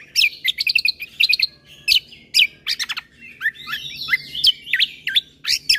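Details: Bulbul combo song recording made to excite listening birds into calling: bright, high chirps in quick bursts, rapid stuttered notes, then slurred whistled swoops and sharp upward strokes.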